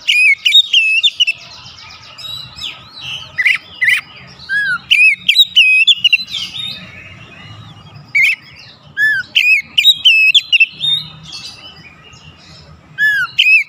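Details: Oriental magpie-robin singing a lure song meant to fire up other birds: loud, varied whistled phrases with sweeping slurs and sharp upslurred notes in bursts, separated by short pauses, over a faint low hum.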